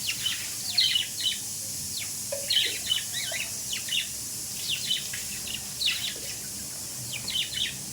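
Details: Several budgerigars chatter in repeated clusters of quick, scratchy high chirps roughly every second or two, over a hissing background.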